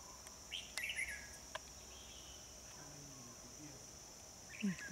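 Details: Red-whiskered bulbul phrases heard while trapping at Núi đá HB on 25 October 2020: a short burst of warbled, slurred notes near the start, another brief phrase at the end, over a steady high insect drone.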